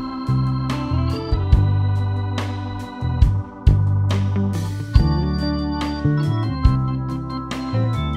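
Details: Loud electronic organ music plays with sustained chords and sharp rhythmic accents, and no animal voices can be heard.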